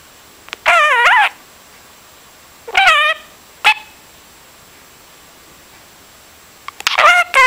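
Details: Pet budgie sounding like a broken record or radio: three separate harmonic, bending calls with wavering pitch, each under a second long, spaced by quiet pauses.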